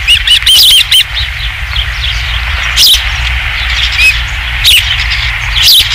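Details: Osprey at a Dunrovin Ranch nest, 27 July 2016, third fish: a short cluster of loud, high chirping whistles at the start, then scattered single sharp notes spaced about a second apart over quiet background rumble.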